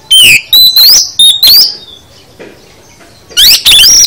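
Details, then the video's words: Oriental magpie-robin (kacer) giving full isian song: a loud string of rising, ringing whistles over about one and a half seconds, a pause, then two more bright whistled notes. "Kacer Anda Bisa NYAUT GACOR, Setelah Dengar Kicau KACER Full Isian ini"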